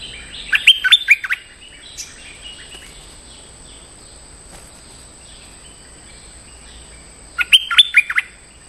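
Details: Stripe-throated bulbul calling to a territorial resident bird, used as a lure: two bubbly, warbled phrases of quick rising and falling notes, one near the start and one near the end, with a quiet gap and a steady thin high tone.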